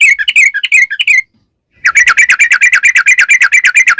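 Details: Sooty-headed bulbul lure song in the 'ropel panjang' style: a quick warbled phrase, a half-second gap, then a long, fast, even trill of rich chirping notes, about six per second.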